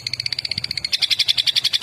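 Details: A Long-tailed Shrike from Madura, a song bird prized for its rolling song, sings a fast, rolling trill of bright, high notes, about ten a second, that turns louder and harsher partway through.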